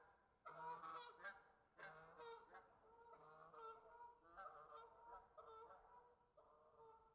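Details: Several geese outdoors honk in harsh, nasal bursts, calling in overlapping runs with brief pauses about every one to two seconds.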